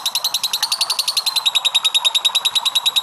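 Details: Lovebird performing a drawn-out ngekek to stimulate other lovebirds: fast, even, high-pitched cackling pulses a little over three per second, loud and steady.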